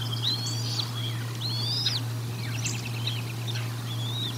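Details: Bald eagles at the Decorah North nest during feeding on 04 01 2022, via nest camera: a few high, flat-topped whistles that drop sharply at the end, scattered faint chirps, and a persistent low hum.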